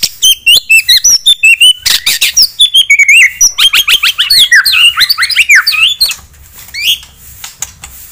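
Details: White-rumped shama song meant to provoke a rival's aggression: a fast, dense run of sharp whistled notes, chips and slurred upsweeps, loud and varied, tumbling on without pause before softer notes near the end.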